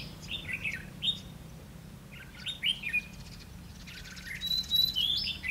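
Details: Decoy red-whiskered bulbul in a trap singing to lure wild rivals, recorded 20 May 2016; clusters of short warbled notes separated by pauses, a thin high whistle near the end, faint rustling.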